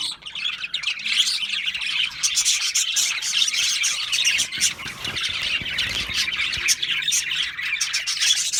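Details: Continuous budgie twittering: thin, buzzy, high chirps and scratchy squawks pour out steadily from many birds with no breaks.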